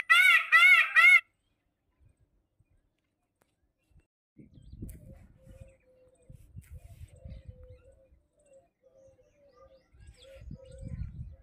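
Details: Three rapid, loud, nasal peafowl calls burst out in the first second, followed by near-silence with soft rustling and faint low thumps.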